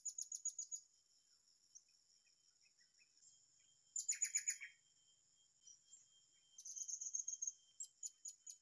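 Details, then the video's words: Blue-crowned hanging parrot calling at a newly found spot: bursts of very high, thin, rapidly repeated chirps, one burst with lower buzzy notes, over a steady high insect drone. "burung serindit gandula"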